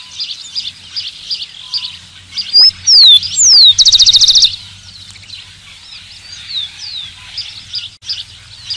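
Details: Song of a rufous-collared sparrow. A pair of sharp, slurred whistles gives way to a quick, even trill. A dense chatter of other small birds fills the background before and after the phrase.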